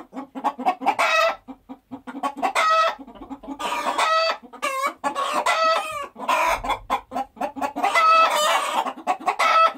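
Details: Chickens cackling, loud stretched squawks repeated in bursts, with softer low clucks filling the gaps between them.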